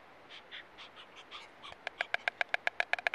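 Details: A stork pair celebrating their first egg: soft hollow knocks at first, then a fast, sharp wooden clattering of regular clicks about eight per second, growing louder toward the end.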